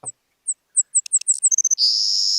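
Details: Savannah Sparrow song, heard in one specific habitat around Carpinteria, Santa Barbara County: several thin, very high chips, a quick stuttering run, then a long insect-like buzz to finish.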